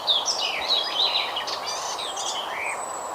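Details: Single garden warbler singing a continuous conversational warble, easy to miss at first: quick, tumbling, varied high notes with a few squeaky peaks and a longer slurred note near the end, over steady background noise.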